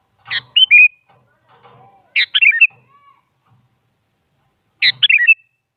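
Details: Sooty-headed bulbul, a female calling a male, its song used as a lure for silent bulbuls: three loud whistled phrases, each a sharp note then falling slurred whistles, with soft low rustling chatter between.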